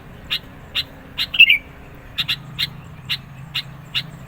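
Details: Sooty-headed bulbul song used as a lure and rival provocation, with evenly spaced sharp chips and one loud gurgling phrase early on, over a low background drone.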